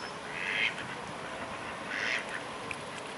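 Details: Mute swan recorded at Carolasee on 12 October 2017 at 9:40 in the morning: two short, harsh, nasal calls about one and a half seconds apart, over a steady hiss of background noise.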